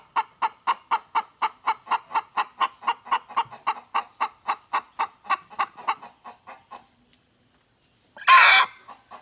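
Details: A hen clucks steadily, about four short, even clucks a second for several seconds, fading gradually, then a sudden loud harsh burst at the end.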